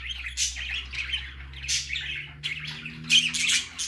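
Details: Baby parakeet (budgerigar) out for the first time, uttering scattered scratchy chirps and short squawks, a louder cluster near the end, over a steady low hum.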